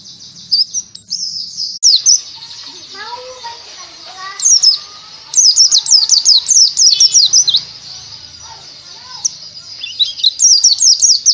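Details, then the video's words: Oriental white-eye lure song for teaching birds ngalas: high, thin chirps in bursts, first sparse then a dense rattling run around mid-clip and again at the end, with softer lower chirping from other birds in between. "PEMANCING PLECI BAHAN UNTUK BELAJAR NGALAS"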